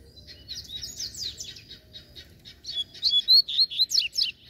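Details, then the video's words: Free-flying fibrado Double-collared Seedeater, said to be fierce and calling for a fight, starts with softer buzzy chirps that swell into a loud, rhythmic string of sweeping whistled notes. "QUANDO O COLEIRO SOLTO FIBRADO APARECE!!!"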